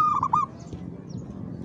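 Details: Zebra dove (perkutut) singing a single brief stuttering coo phrase, a few quick trilled notes lasting half a second, then only low rumbling background noise.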